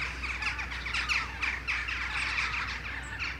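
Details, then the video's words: A flock of Western jackdaws returning in the morning from roosting trees for a communal flight, filling the air with overlapping short, sharp 'tchack' calls, several a second, over a steady low rumble. "Dohlenschwarm | Flock of jackdaws"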